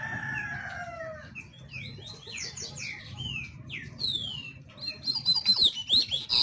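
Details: Double-collared seedeater song: clear whistled notes sliding downward, strung into a varied phrase that ends in a faster, higher trilling run, over steady low rumbling background noise.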